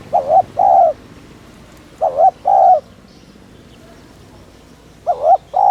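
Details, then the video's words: Spotted dove cooing to draw in other doves: three paired coos, a quick wavering note and a longer steady one, separated by long quiet gaps of about two seconds. "tiếng chim cu gáy THÚC - RÚT BỔI - KÍCH MỒI cực chuẩn"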